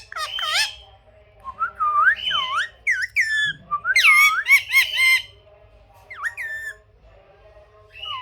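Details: Talking rose-ringed parakeet giving a burst of harsh, speech-like syllables: rising and falling squawky notes in quick uneven runs, several loud clusters around the middle, then quieter scattered phrases.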